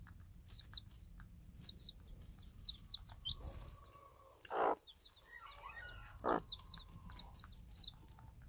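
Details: Free-range game hen tending day-old chicks and calling them as she drops food; chicks peep in high rising notes, then the hen gives a drawn-out low cluck and a second shorter one.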